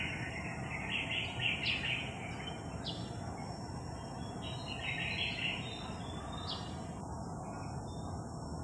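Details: Rose-ringed parakeet, a blue bird among a local flock of green ones that keep harassing it, possibly an escaped pet, recorded July 9, 2021; harsh, raspy screeches in short bursts, several overlapping, over constant broadband background noise.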